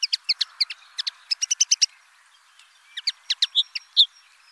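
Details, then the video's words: Common linnet song: two bursts of quick, dry twittering notes, bright chips and short buzzy trills repeated rapidly, with a brief pause between phrases. "BIRDS VOICE : The common linnet Bird"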